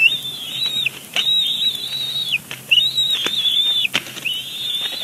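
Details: Bald eagle chick on its nest at Big Bear Lake, April 27, 2022, squeeing loudly in the adult male's face; four strong drawn-out high whistles, each rising briefly then holding steady, about a second apart.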